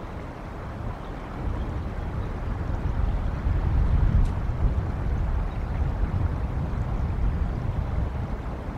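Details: Wind roars against the microphone in uneven gusts, with one sharp click midway and no clear animal sound.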